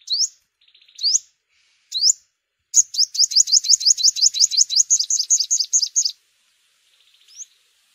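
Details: Yellow-bellied sunbird for luring in bird season: a few rising chips and soft buzzes lead into a rapid run of about fifteen quick upswept notes, then a final chip and faint buzz.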